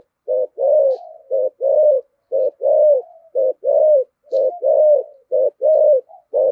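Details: Spotted dove cooing in the bass 'giọng thổ' style, called 'thúc gù': a steady run of low, husky coo phrases, short notes alternating with longer rolling ones, about one phrase every second, no other sounds.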